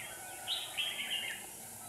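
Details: Red-whiskered bulbul decoy in a Hòa Bình trap, singing to draw a wild rival; one brief bright warbled phrase with a high whistled note, over steady hiss.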